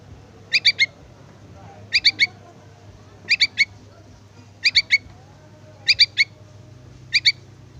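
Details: Yellow-vented bulbul chick calling its parent: short, high, squeaky notes in tight bursts of three, a burst about every 1.3 seconds, six bursts in all, over a faint low steady hum.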